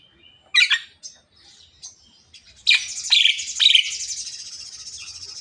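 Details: Javan myna talking and coughing, giving two loud rasping bursts, a few short chips, then a long buzzy harsh rattle of rapid pulses lasting about two seconds.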